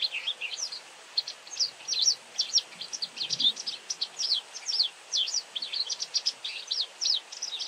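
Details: A very talkative White wagtail delivers an almost continuous run of high, sharp chirps and quick slurred notes, densely packed for the whole stretch, with only faint low background noise.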